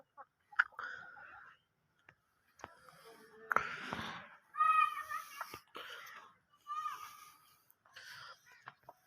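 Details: A pair of Pakistani Aseel chickens, short nasal harmonic calls in separate bursts with a few sharp clicks between them.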